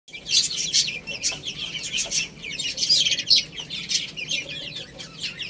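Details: Several little chicks eating rice, giving dense high-pitched peeps that overlap into a constant twittering chorus, with sharp pecking clicks scattered throughout.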